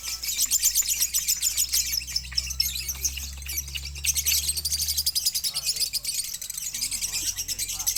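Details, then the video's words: At a West Sumatra singing competition, a lovebird keeps up an unbroken stream of buzzy, very high chattering trills, with a low hum and a speaking voice underneath. "LOVBIER KARAPAI"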